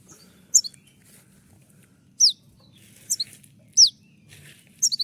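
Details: Konin, a master recording for training birds, giving the shot-like 'tembakan' song: isolated high, sharp, down-slurred whistles, some doubled, spaced irregularly across five seconds against a faint low background hum.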